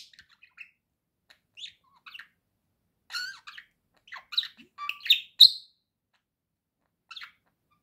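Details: Pet budgerigar giving scattered chirps and short warbled notes, with a brighter burst of rapid squeaky chatter in the middle, then a final lone chirp after a pause.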